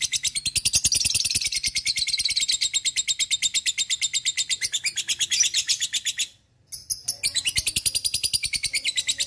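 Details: Lovebird of the fighter type giving ngekek, a lure recording for training birds to chatter diligently: a long, fast, shrill rattling chatter of tightly packed notes, loud and steady, broken once by a short silence before carrying on.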